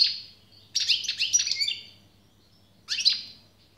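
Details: European goldfinch giving short bursts of bright, twittering song: a brief opening phrase, then a dense jumble of chirps and buzzy notes after a pause, and a final quick twitter, with low background hum.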